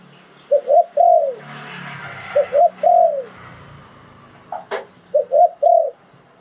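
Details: Spotted dove kept as a decoy in Thailand, 'liw tan' singing style. Three repeated phrases of two quick coos and a long sliding croo over a steady background hiss, with a brief sharp click near the end.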